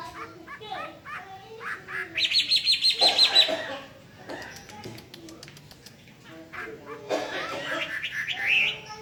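Hwamei singing a rich, varied song of fast whistled phrases, including a run of about ten quick, ringing repeated notes, with faint background chatter.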